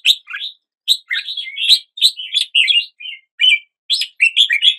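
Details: Red-whiskered bulbul delivering a continuous string of rich, bubbling whistled notes, short rising and falling syllables packed closely with brief gaps, sounding busy and melodic at dawn; quiet surroundings.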